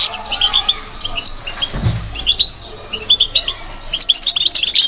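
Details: Caged European goldfinch singing in the twittering batbata style: rapid high tinkling chirps and trills, a brief pause with a low thump near the middle, then a denser, faster burst of notes at the end.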